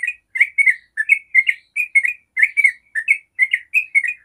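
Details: Yellow-vented bulbul 'ropel' song intended to get other bulbuls singing: dense, bubbling, slurred notes tumbling quickly in short clusters, loud and clear.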